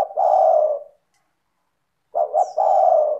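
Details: Spotted dove (tekukur) in strong singing form, used to prompt other doves to call: a low, rich cooing phrase, a pause of about a second, then a stuttered double coo running into a long rolling coo.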